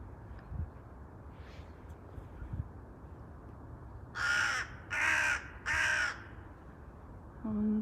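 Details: Agitated crows after a quiet, faintly noisy stretch: three loud, hoarse caws in quick succession, then a woman starts talking.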